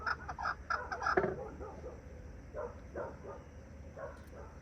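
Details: Captive partridges (chukar-type keklik) calling from their coop on the first day let outside: short, harsh chuckling bursts then scattered softer calls, with a person's laugh and quiet background hiss.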